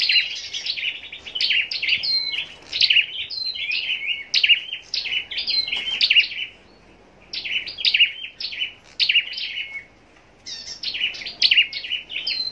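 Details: Long bout from a scarlet-backed flowerpecker caged for singing competitions at Long Thành, southern Vietnam; fast tinkling series of sharp high chips in phrases lasting several seconds, broken by short silences.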